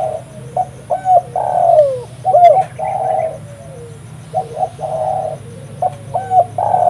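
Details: Lively spotted dove recorded as a lure for trapping doves: mellow, throaty coos repeated in short phrases, some notes drawn out and sliding lower, with brief gaps and a low background hum throughout.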